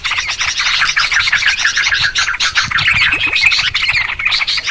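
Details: Yellow-vented Bulbul (trucukan) in a busy lure recording for trapping birds: a thick, continuous wall of bright chirping and chattering with no pauses.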